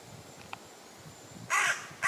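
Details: Common raven croaking in a tree in English woodland, West Sussex. One harsh, hoarse croak near the end, followed by the start of another, over a soft low rumble and a few faint ticks.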